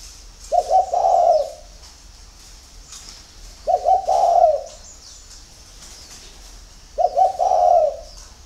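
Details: A spotted dove coos at dawn: three evenly spaced phrases, roughly three seconds apart, each opening with two quick low notes and ending in a sustained, slightly falling coo; light chirping in the background.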